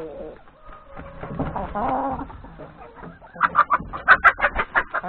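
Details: Hens and three roosters at yard breakfast before going to the forest to graze; soft murmuring clucks build to a series of loud, sharp, evenly spaced squawks in the last two seconds.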